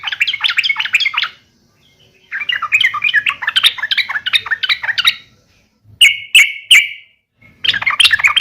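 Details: Yellow-vented bulbul fighting call, used to provoke other bulbuls into answering: bursts of rapid, harsh chattering notes between 1 and 4k, separated by short pauses, then a few clear separate chirps before the chatter resumes.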